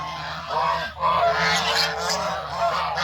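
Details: Farm geese on foot looking for food in the countryside, giving a continuous dense chorus of nasal honks that blend together with barely a break.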